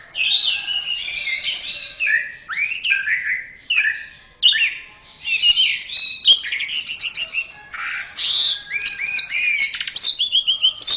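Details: Orange-headed thrush from Indonesia, a tutor song for pet birds: a dense, varied warble of quick whistled notes, repeated trilled figures and sudden high accents, flowing almost without a break.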